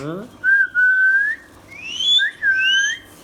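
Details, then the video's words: Pet Ringneck parrot, a talking bird, indoors in a small room: clear whistled notes, a long level tone, then rising and falling slurred whistles in short phrases, repeated over about three seconds. "Ringneck Parrot natural sounds"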